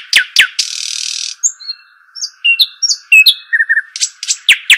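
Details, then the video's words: Songbird known locally as shuhaim or dakhl: sharp downslurred chips, a long rasping buzz, then a jumble of varied high whistles and chirps, ending in quick descending notes, with a constant background hum. "صوت الشحيم الاصلي او صوت طائر الدخل"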